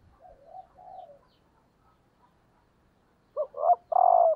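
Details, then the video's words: Female spotted dove used as a decoy, cooing to stimulate males. Soft, low muffled coos open the recording, then a loud phrase of short clipped notes ends in a long, throaty, slightly falling coo. "cu mái gáy kích trống hiệu quả/ Chim cu mồi"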